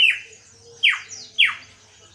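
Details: Captive greater green leafbird, recently recovered from a heavy moult and just starting to sing, gives three loud, clear whistles sweeping steeply downward, about half a second to a second apart, over a faint low hum; owner unsure of its origin because it sounds unusual.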